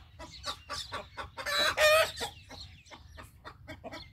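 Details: Rooster giving an alert call: a rapid, uneven run of short clucks, about three or four per second, broken by one loud, harsh, drawn-out squawk in the middle before the clucking resumes.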